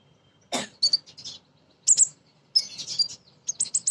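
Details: Female kolibri ninja sunbird used to provoke untrained birds into singing: a harsh burst, then high thin paired chirps and a quick run of squeaky twitters.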